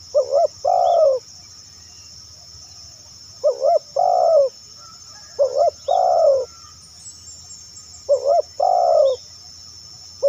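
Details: Spotted dove calling, used to lure other doves: low two-part coos, a short rising note then a longer falling one, repeated in four phrases about two to three seconds apart over a steady high insect buzz.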